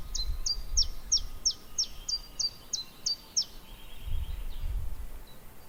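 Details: A Common Chiffchaff, a summer visitor in the garden, first mistaken for a Willow Warbler, sings a quick run of about eleven high down-slurred notes at a steady pace, ending in a softer low trill, over a low rumble.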